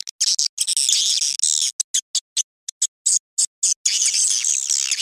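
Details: At dusk, swiftlets give a mating call used to lure others: high twittering bursts, a stretch of short separate chirps, then steady continuous chattering.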